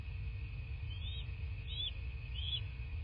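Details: Bald eagle at a nest in southwest Florida, 14 March 2024, morning. Three thin, high, slurred chittering notes about half a second apart, over a steady low rumble and a constant electrical hum.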